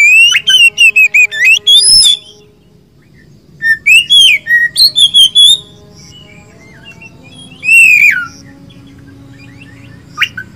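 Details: Oriental magpie-robin (kacer) of poci or local type: fast burst of short whistled notes, a quiet spell, a warbled sequence, then one more clear descending phrase.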